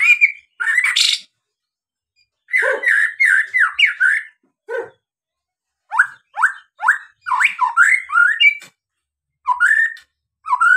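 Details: Murai batu lure song for provoking other birds: clusters of bright, rising whistled notes and chattering bursts separated by brief silences, with a few lower harsh calls.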